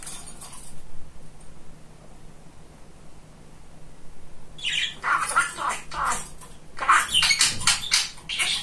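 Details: Male pet budgerigar, very talkative, heard after a few quiet seconds launching into fast scratchy mimicked chatter, bursts of squeaky syllables packed closely together, with faint low rustling.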